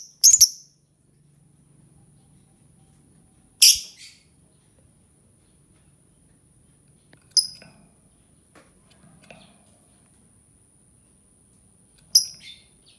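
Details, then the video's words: Lovebird voice heard as sparse single shrill chirps spaced about four seconds apart, each brief and piercing, over a faint steady high whine. "Suara Burung Lovebird"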